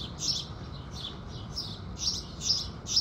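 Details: House sparrows singing at sunrise: bright, short chirps repeated about twice a second in an uneven rhythm, over a steady low rumble.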